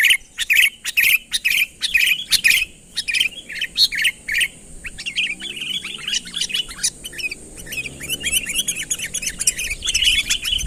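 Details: Sooty-headed bulbul calling a rival to approach: spaced bursts of sharp chirps at first, then a faster, denser run of bubbly slurred notes, over quiet background.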